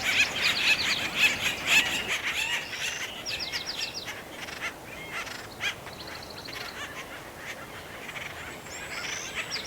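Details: Acorn woodpeckers at Effie Yeaw Nature Center in 2025, at the start of mating season, in a commotion among three trees, give harsh, nasal, laughing calls in quick rattling bursts, several birds overlapping, with a few thin squeaks between.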